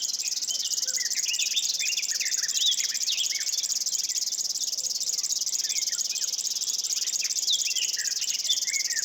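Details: A River warbler in Estonia gives its high, dry, insect-like buzzing song that pulses on steadily like a sewing machine, while other birds add scattered chirps and whistles.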